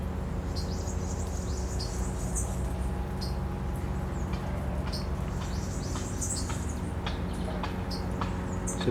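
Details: A Northern Waterthrush in the mangroves of Bubali wetlands, Aruba, on 26 November 2011, where it winters. It gives sharp, high metallic chips scattered irregularly through the clip, over a steady low hum and background noise.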